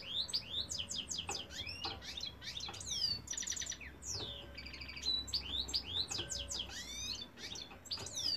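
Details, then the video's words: A singing male European goldfinch delivers a long, fast, liquid twitter of rapid rising and falling slurred notes, interspersed with short buzzy trilled phrases and tinkling runs, continuous throughout. "goldfinch cock singing"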